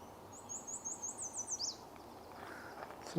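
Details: A Yellow Warbler singing all morning at a marsh in early morning gives a quick run of about eight high, sweet notes that speeds up and ends in a slurred flourish, over faint background hiss.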